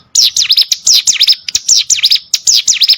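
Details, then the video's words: Ciblek sawah, a prinia, gives brisk clusters of piercing chirps that each slide sharply downward, in quick bursts separated by brief pauses, with dry clicking notes in between. "burung ciblek sawah"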